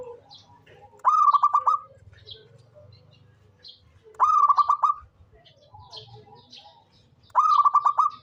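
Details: Local zebra dove, a frequent singer used as a lure bird, giving three cooing phrases about three seconds apart; each opens with a rising note, then breaks into a quick staccato run of pulsed coos on a steady pitch.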